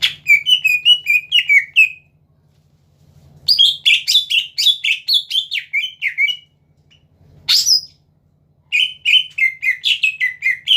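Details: Greater green leafbird singing loudly, meant to provoke rival birds into song: bright chattering phrases and quick slurred whistles in bursts separated by pauses, with a low steady hum in the background.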